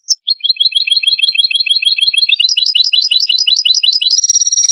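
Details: European goldfinch song, played as a lure for trapping goldfinches: a rapid, continuous twittering of high metallic chips, about three per second, rising in pitch midway and ending in a buzzier jumble, with no other sounds.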